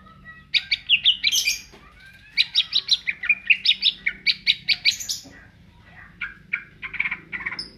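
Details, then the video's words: A greater green leafbird delivers ngentrok-style song, a long fast run of sharp, rhythmic high chirps repeated about two or three per second, with brief pauses, then scattered softer notes. "cucak ijo gacor ngentrok"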